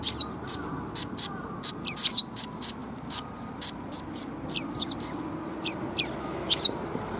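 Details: Busy, steady chirping from sparrows that come to be fed at a Tenmangu shrine on 14 March 2021; short high notes repeat several times a second with a few downslurred calls.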